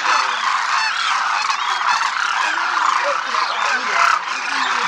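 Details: Demoiselle cranes crooning as a large formation flock clouds the Rajasthan sky in India; loud, continuous overlapping trumpeting croaks from many birds with no pauses.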